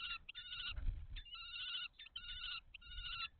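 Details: Kestrel pair at a nest box in May 2023 passing mice at a food transfer; harsh, trilled whining calls in long bursts, each broken by brief silences, with a low bump of movement in the box.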